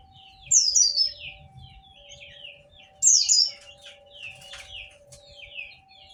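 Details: Two sharp, loud white-eye song bursts of high slurred notes about two and a half seconds apart, softer chattering between, over a steady low hum. Played to stir lazy white-eyes into answering.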